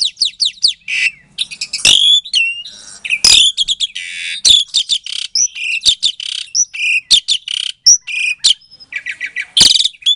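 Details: Captive-bred Asian pied starling from Klaten, Indonesia, in a lure song meant to provoke silent starlings: energetic mix of buzzy bursts, squeaky slurred whistles and sharp clicks, delivered almost without pause for ten seconds.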